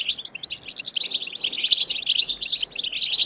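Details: European goldfinch singing a batbata, a song style used to prompt caged goldfinches to sing: dense, quick, tinkling chatter with sharp twittered notes running without pause.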